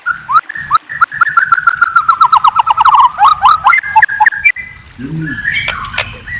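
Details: White-rumped shama at night delivering a long, fast trill of chirps that slowly drops in pitch and speeds up, followed by a few looser notes and a brief low, rough sound near the end.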